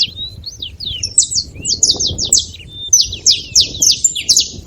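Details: Saffron finches noisy at a feeding spot. A few thin, rising and falling whistles open the passage, then buzzy, downslurred chirps come thickly and overlap. A quiet low murmur sits underneath.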